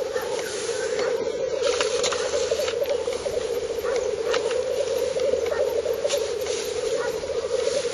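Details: Lekking black grouse in northern Finland, 30 April 2011, heard from 50 to 70 metres on a camera: constant low bubbling chorus with scattered short hissing bursts and faint clicks.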